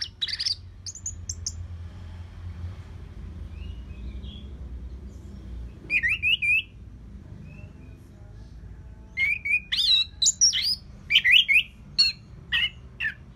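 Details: Orange-headed thrush, a caged bird used to train other songbirds, from Singaraja in northern Bali: scattered bursts of rich whistled and slurred phrases, silent gaps between them, then a quicker run of varied notes near the end over low hum.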